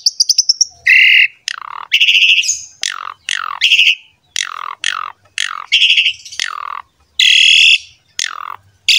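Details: Asian pied starling in loud, vigorous pumping ('mompa') song used to prompt other starlings: a rapid high ticking, then harsh chattering bursts mixed with steeply dropping whistled notes, repeated about every half second.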